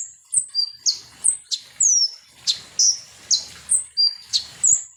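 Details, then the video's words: Konin sunbird lure song to stir birds into agitation: a string of sharp, very high chirps and down-slurred whistles, spaced roughly every third of a second. "SUARA BURUNG KONIN atau KOLIBRI NINJA"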